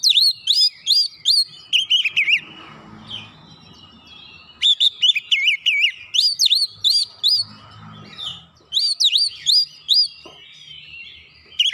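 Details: Provoking song of an Oriental magpie-robin (kacer), meant to make rivals sing their isian material; three bursts of rapid, swooping whistled notes separated by brief pauses.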